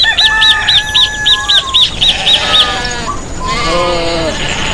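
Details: Countryside rooster gives a drawn-out crow in the second half, after a run of rapid repeated bird notes, over constant crickets.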